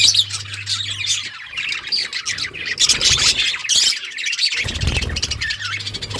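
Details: A group of pet budgies, small Australian parrots, keep up a busy, continuous chorus of rapid chirps, scratchy squawks and warbled twittering, loudest in the middle, with a faint low hum at the start and end.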